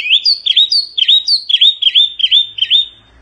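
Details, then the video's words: Fast, bouncing phrase from a wambi mini Oriental white-eye, sung energetically for tutoring cage birds: high chirps alternating with dipping, ringing whistles in a quick, uneven rhythm. "Kicauan OK wambi mini GANAS bagus untuk masteran"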